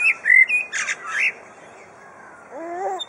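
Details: Captive superb lyrebird at Adelaide Zoo, Australia, mimicking other sounds: bright squawky whistled notes near the start, a burst of harsh broadband noise mid-clip, then faint descending wavering tones at the end.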